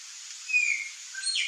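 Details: Wild whistling heron pair (Syrigma sibilatrix) in Brazil's Cerrado: one gives a thin, high whistle that slides downward, then a shorter, fainter note, over a steady background hiss.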